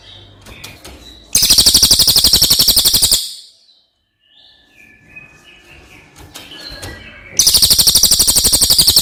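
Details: Cililin song used as a master for other birds: two long, loud, rapidly pulsed rolling trills, with scattered soft chirps from other birds in the pause between.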